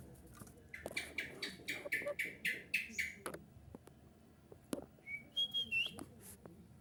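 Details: Golden bulbul (kutilang emas) song used as a lure to make other bulbuls answer: a run of sharp repeated chirps about four a second, then a few clear whistled notes, with clicks and knocks around.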